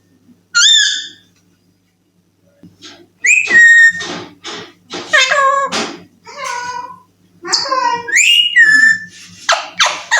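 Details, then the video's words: Baby Alexandrine parakeet, a talking parrot taught to say "I love you", giving a string of harmonic, whistled and speech-like syllables that rise and fall. Short bursts are separated by pauses, with a faint low hum in the background. "Talking Parrot I love you || I love you bolne wala parrot"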